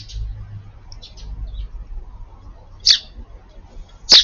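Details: Sparrow at a garden feeder on 4/18, one headstrong bird chasing the others off to keep the food to itself; two sharp, high chirps near the end of the clip, with fainter twitters earlier over a low background rumble.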